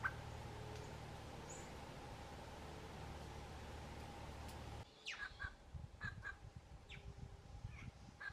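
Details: Plush-crested jays (Cyanocorax chrysops), a flock feeding in Arapongas, Paraná, Brazil; after a steady background hum cuts out, several short harsh, harmonic calls sound in quick irregular bursts, some dropping sharply in pitch.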